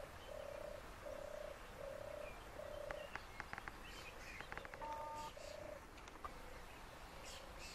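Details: European turtle dove in Lower Silesia, Poland, a seriously endangered species here at five nests and 14 birds per four square kilometres, giving low purring trills about half a second long, repeated in a steady series, with a few sharp clicks and a brief thin whistle.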